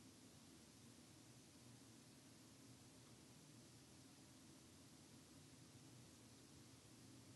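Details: Only a steady, quiet hiss of background static with a faint low hum runs throughout, and no animal sound is heard.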